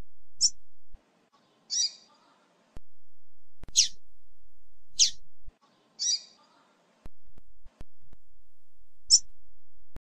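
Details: Rusty-collared seedeater, female song played to excite a caged male: short high buzzy chips spaced a second or two apart, about six in ten seconds, over a steady electrical hum with clicks.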